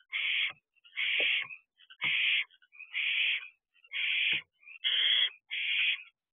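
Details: Barn owlet exercising its wings at the nest box entrance on the evening of 13 June 2023; seven rasping hiss-screeches, each roughly half a second, repeated about once a second with faint taps.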